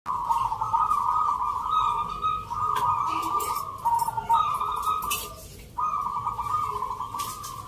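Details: Local zebra doves at a rhythm-art singing contest in the Nglagu Ngepat Mentaraman style, Yogyakarta, Indonesia, on Sunday 19 November. Overlapping rolling, trilled coos form a steady chorus with brief pauses, with faint crowd noise behind.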